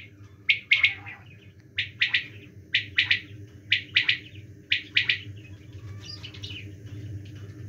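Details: A quail calling in the winter season gives sharp, liquid two- to three-note phrases about once a second, six times, then falls quiet, over a low steady mechanical hum.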